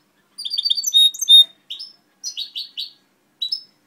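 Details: Goldfinch hybrid singing in 2011: a string of quick high chirps and twittering notes, with short clear whistles in between and brief pauses, in a quiet room.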